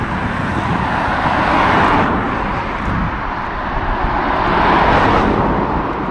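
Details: Steady roar of passing road traffic and wind, swelling and fading, with no animal calls heard.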